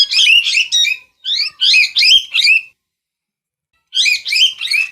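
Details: Harsh, grating parrot chatter in rapid rasping bursts, a run of squawks, then a silent gap before another short burst.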